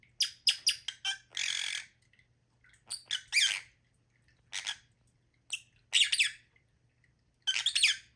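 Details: Lovebirds giving harsh, high screechy chirps in quick bursts, some short and clipped, others drawn-out raspy squawks, separated by brief pauses; a faint low hum underneath.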